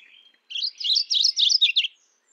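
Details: Mourning warbler calling: a single rolling phrase of about five quick, paired chirpy notes, bright and slightly descending, lasting just over a second after a faint thin whistle; quiet background otherwise.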